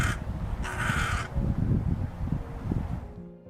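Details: Hooded crow in the UK giving two harsh, rasping caws, the second longer, one of its most common calls, over a low, steady background of music.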